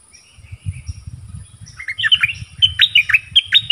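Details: Song duel between a nok dok taeng and wild birds. After faint thin notes, loud sharp whistled chirps begin halfway through and come in a fast, uneven, repeated series over low background noise.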